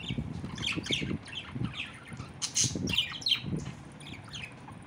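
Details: Pet parrot during its evening play routine, giving scattered harsh squawks and short chirps at irregular intervals, with some low household rustling underneath.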